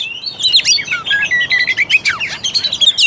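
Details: Short burst of kacer (Oriental magpie-robin) song meant to trigger a lazy bird: looping whistled phrases and squeaky chirps, falling and rising, packed tightly together.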